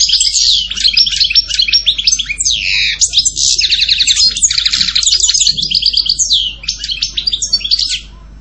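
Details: European goldfinch singing a long, fast run of tinkling, twittering notes and buzzy trills, high-pitched and nearly unbroken for about eight seconds, then a sudden stop.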